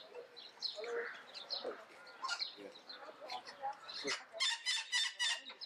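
A female Derbyan parakeet gives scratchy, speech-like chatter, then a quick run of five or six loud, harsh squawks.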